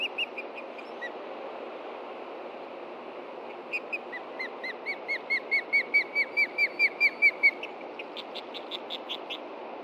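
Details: Osprey pair at a nest on a Montana nest camera, alerting to a threat from below and flying about until it subsides, late morning in late June with chicks in the nest: a series of clear whistled chirps, about two per second, swelling louder then fading, over steady background hiss.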